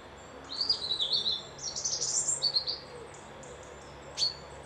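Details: Bird whistling at a loch-side lodge near Dundee, Scotland: a run of thin, high twittering and whistled notes over about three seconds, a short pause, then one sharp high chip, with quiet rural background.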